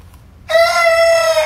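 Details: A pet hen that makes a strange noise throughout the day gives a sudden, steady, drawn-out crowing tone, strong and harmonic-rich, held for about a second after a quiet start.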